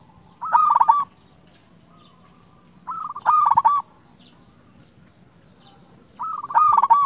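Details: Local zebra dove singing repeatedly: three loud, rapid, purring coo bursts, each lasting well under a second, spaced roughly three seconds apart. Long quiet gaps separate them.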